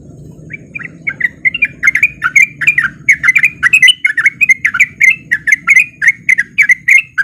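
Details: Breeding male sooty-headed bulbul starting a lure song: a few scattered notes quicken into an energetic rattle of sharp chirps, repeated roughly three to four per second, with low background noise that drops away midway.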